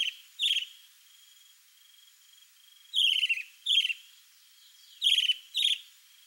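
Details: Male chalk-browed mockingbird singing to impress a female: loud paired down-slurred whistles repeated in groups, with a long pause mid-phrase and a faint continuous high tone underneath.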